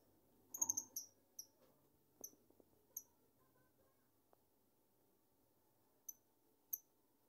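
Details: A father's favourite pet lovebird gives very high, thin, sharp chirps: a quick burst of four near the start, then single chips about a second apart, and a pair near the end, over quiet indoor background with faint clicks.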